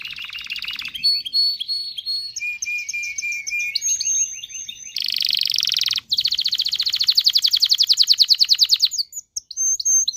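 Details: Canary song meant to excite males and females into mating: varied phrases of rapid trills, short whistles and a harsh buzzy burst, then a fast steady rattling trill and a few high notes.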